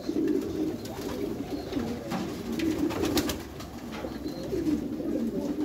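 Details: Backyard loft of Meulemans racing pigeons, with many birds cooing at once in deep, wavering, repeated phrases, plus brief wing claps and knocks.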